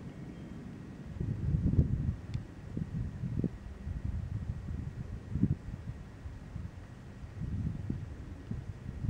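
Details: Low, muffled rumbling bursts and thumps with a faint steady hiss; no animal calls are heard.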